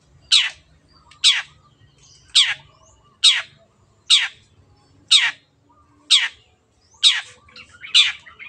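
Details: A long-tailed shrike calling insistently, captured clearly for birds to imitate: a steady series of nine harsh, downward-sweeping rasping notes, about one per second, with quiet gaps.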